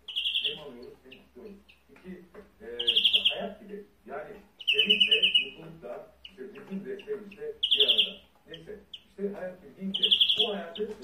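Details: European greenfinch song: loud, drawn-out buzzy wheezes about half a second long recur every two to three seconds, separated by lower, voice-like harmonic sounds resembling speech.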